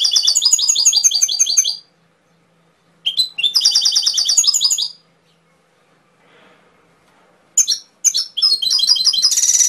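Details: Canary singing loud rapid trills in several phrases, broken by pauses, with sharp chip notes before the final bright trilled stretch.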